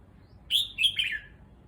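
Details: Caged red-whiskered bulbul settling into a new cage in a new place gives a short song phrase of three quick liquid whistled notes, the last slurring downward, over quiet background hum.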